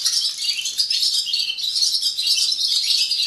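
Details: Morning song of barn swallows at a swallow farm in Gelselaar: a dense, unbroken twittering chorus of high, scratchy chatter and dry rattles, with several birds seemingly singing at once.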